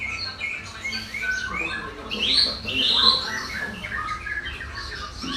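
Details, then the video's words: Bird song of high, scratchy chirps and short bright whistles, loudest in the middle, over a steady low background hum. "Suara burung berkicau"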